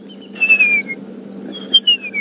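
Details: On an 31 August morning safari drive near a hyena den, a woodland kingfisher calls with two high, clear whistled notes, each sliding downward, over a steady low engine-like hum, with crested barbet and crested francolin around.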